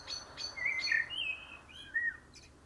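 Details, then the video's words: Mellow, sliding whistles from a common blackbird, several linked phrases at medium pitch, with a couple of faint high notes at the start. "KARATAVUK SESİ (KARABAKAL)- COMMON BLACKBİRD - TURDUS MERULA"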